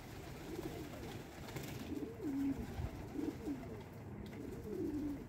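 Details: Pigeons at breakfast feeding time give low, soft cooing phrases that rise, then fall. Several coos come in a row between two and five seconds, over a steady low rumble of background noise.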